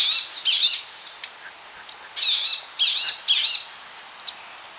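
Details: Palestine sunbird (Cinnyris osea) singing: bursts of high, sharp, twittering chirps with quick rising and falling slurred notes, delivered in short clustered phrases about twice a second with brief pauses between.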